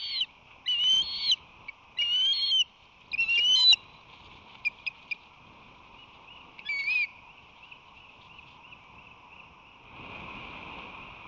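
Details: Nesting osprey on San Francisco Bay, March 2020, male arriving with fish and rushing to defend the nest: four strong whistled cries in quick succession, then a few sharp clicks, one more thin whistle, and a long stretch of low background hiss.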